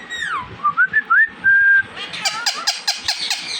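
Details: Pet Indian ringneck parrot, talking and mimicking, gives clear whistled notes that dip and rise, then a held flat whistle, followed by a quick series of harsh, buzzy chattering notes; a voice repeats a short word nearby.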